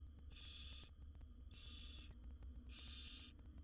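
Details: Wild barn owl owlets, seven young in a monitored nest box, begging while their mother feeds them: three long rasping hissy screeches, each about half a second, separated by short pauses, over a low steady hum.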